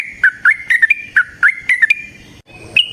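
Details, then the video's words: Short burst of Yellow-vented bulbul lure song. About a dozen quick, gurgling whistled notes tumble in two clusters, then a pause and a final bright note. "Trucukan GACOR ngalas ROPEL PANJANG suara alam AMPUH buat pancingan"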